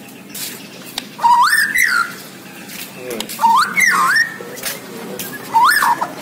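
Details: White-rumped shama, Borneo form, singing three loud whistled phrases about two seconds apart. Each phrase rises, then swoops down and up again, with fainter harmonic overtones above and light background hiss.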